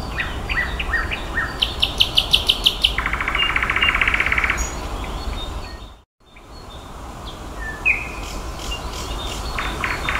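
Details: Nightingale singing in May: varied phrases of short notes, a rapid buzzy rattling trill, and quick repeated chips, broken by a brief dropout, with rumbling noise throughout.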